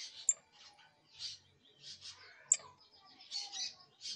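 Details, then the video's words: First songs and trills from a young canary: rough, buzzy phrases rising and fading in waves, punctuated by two bright clicking notes and soft low background rumble. "Pichón de CANARIO soltando sus primeros cantos, trines, Charrasqueando"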